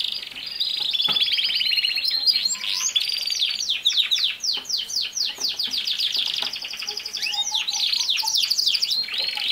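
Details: Canary song used to train a young male to sing: long continuous rolling trills, rapid repeated downward sweeps and chattering notes, with a few soft low whistles, loud and unbroken.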